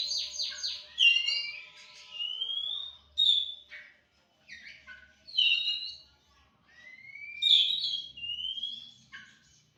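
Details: Two Oriental magpie-robins pitted against each other in song; bursts of varied clear whistles, rising slurs and sharp chirps come in phrases every couple of seconds, separated by brief pauses.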